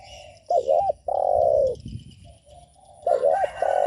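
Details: A spotted dove coos to provoke other doves: a loud wavering double note, a long, low sustained coo, a pause with faint coos, then the wavering phrase begins again.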